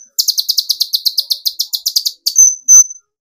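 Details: Kolibri ninja sunbird singing as a lure to provoke other birds into singing. Rapid high buzzy notes are repeated about sixteen times in a fast even series, then a sharp thin whistle ends on a brief high tone.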